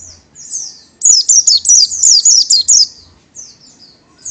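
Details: Oriental white-eye (Zosterops palpebrosus) gives a rapid, very high twittering song of thin descending notes, a quick jumbled burst lasting about two seconds.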